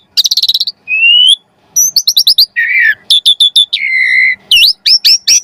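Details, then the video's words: Asian pied starling singing constantly in a rich, full fill-in style, used as a lure to prompt other birds to sing: rapid trilled bursts, a rising whistle, buzzy repeated notes, a long low warble and upward-sweeping whistles. "Jalak Suren Gacor Pancingan Burung Jalak Agar Cepat Mompa Gacor Full isian Mewah"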